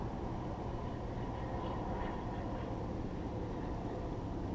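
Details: A heavy low rumble like a passing train or large vehicle continues throughout, and no animal call can be picked out.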